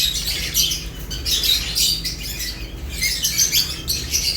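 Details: A group of lovebirds chirps while feeding, rapid scratchy high notes in short clustered bursts, overlapping calls, and a faint low background hum.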